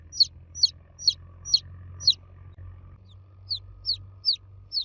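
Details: Baby chicks calling for the hen: five strong high descending peeps, a short pause, then four softer cheeps, over a faint low drone.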